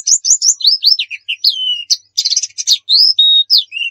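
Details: Lure recording of white-eye song in the 'nembak' style: varied high whistles, falling and rising slurs, a sustained tone and a dense twittering cluster, delivered without pause in clear quiet surroundings.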